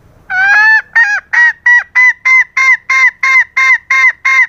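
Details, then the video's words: Female green junglefowl calling to lure and arouse males: after a faint low rumble, twelve loud nasal honking notes with rich harmonics repeat steadily, about three per second, with no other sounds. "Pancingan Pejantan | Suara Ayam Hutan BETINA GACOR ( AHH )"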